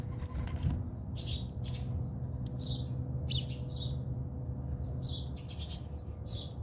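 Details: A squabble among house sparrows in a South African backyard produces repeated short chirps, roughly one every half second, with a persistent low hum beneath.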